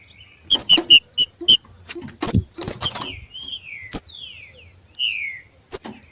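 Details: Two male green-winged saltators competing in the wild: sharp high clicks and short notes, then clear descending whistled slurs, with loud knocking noises between.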